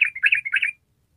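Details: Yellow-vented bulbul in 'ropel' chattering style: a single short, tumbling phrase of rolling liquid notes under a second long, then quiet.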